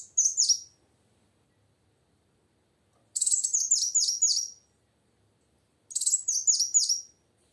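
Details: Female plain sunbird, used to set silent males singing: three spaced bursts of rapid, very high twittering chirps, each lasting about a second and a half.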